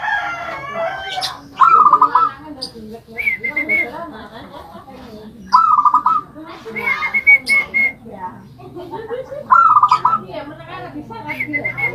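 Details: Zebra dove kept in a homemade rice-container cage repeats its song about every four seconds: a rolling, bubbling trill, then a higher drawn-out note, among clicks and background noise.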